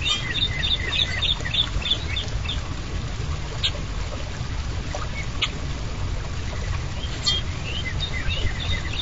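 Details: Goldfinches visiting feeders on 27 March 2010, caught by a live camera: quick bursts of high, bright chirps open and close the recording, with scattered single notes between, above a constant low hum.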